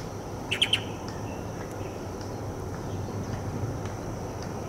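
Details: Light-vented bulbul (Pycnonotus sinensis) in a tree making an unusual chirping call: three quick, bright, high chirps in a tight burst, then faint scattered ticks over a steady low rumble.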